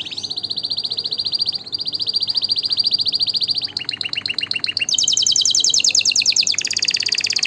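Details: Canary song of long, even, rapidly pulsed tours: a sustained mid-high rolling trill, a choppier section, then progressively higher and louder trills.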